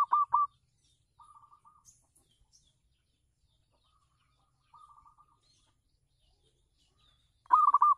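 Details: Local zebra dove singing on a house terrace, kept as a lure for other doves: short rolling, trilled coo phrases near the start, at about 1.2 and 4.7 seconds, and a louder phrase at the end, separated by quiet gaps.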